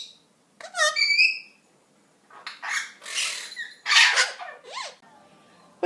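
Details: A pair of pet Eclectus parrots chatter at home, mixing rising and falling whistled tones with rough, noisy squawks in uneven bursts, with a quiet pause near the start.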